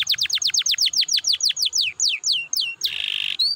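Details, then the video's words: Canary singing to spur other canaries into song: quick repeated downward-sweeping whistles that gradually slow, then a brief dense buzzy burst and a final rising note. "PANCINGAN KENARI BIAR GACOR AMPUH MERANGSANG BUNYI"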